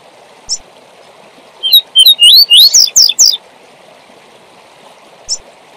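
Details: Double-collared seedeater singing the 'tui tui zel zel' style meant to teach young birds; isolated high chips framing a quick run of sharp rising whistles and slurred notes, with constant water-like hiss behind.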